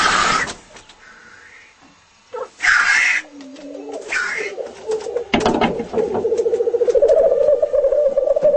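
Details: Black grouse displaying: harsh, hissing bursts and a short upward swish open the recording, then a steady low bubbling roll builds and rises slightly in the last three seconds.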